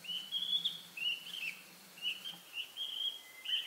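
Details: A male Narcissus flycatcher in spring, perched on a pine branch in a pine forest, sings territorially: bright, high whistled phrases, about six short warbling bursts in under four seconds, over a faint low hum.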